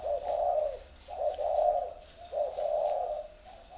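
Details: Clean spotted dove cooing: paired hollow notes, a quick short coo followed by a longer sustained one, repeated three times at a steady pace about a second apart.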